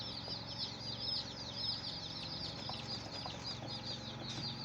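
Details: Baby chickens keep up a quieter wash of high overlapping peeps, with occasional soft taps and rustling beneath the chorus.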